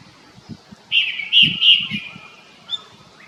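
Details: Japanese thrush giving a brief fluty whistled phrase of three strong notes, followed by a faint high note; low thumping noise in the background.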